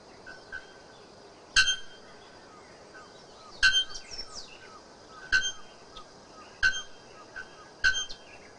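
Bare-throated bellbird giving five loud, ringing metallic clanks like a hammer on an anvil, spaced about every one to two seconds, with faint chirps between.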